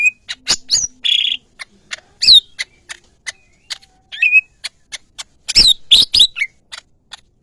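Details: Greater green leafbird, called cucak ijo kepala kuning, giving a busy song of dry clicks, short buzzy bursts and bright whistles with pauses, the clicks loud and abrupt.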